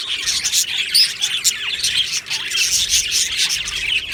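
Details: Many Australian budgies in a colony aviary, dated 22 June 2025, chirping and warbling nonstop; thin rising squeaks and rapid twitters overlap in a dense, bright mass of sound.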